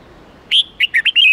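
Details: Red-whiskered bulbul singing a short wild-standard 8-9-10 note training phrase for young birds: a loud opening whistle, then four brief, clear, bouncing notes ending in a slightly longer slurred whistle.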